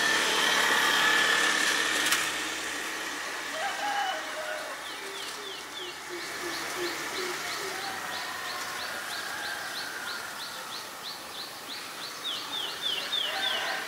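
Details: Black-collared starling recorded in Ubon Ratchathani, Thailand, on 17 April 2022: loud, harsh, broadband chattering for about two seconds, then quieter scattered notes, over a steady background of short high down-slurred chirps repeated about four times a second.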